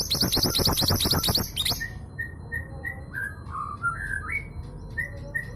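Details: Female long-tailed sibia of local East Java stock, used as a lure so males start singing: rapid harsh chatter for under two seconds, followed by a string of short clear whistles stepping down and up in pitch.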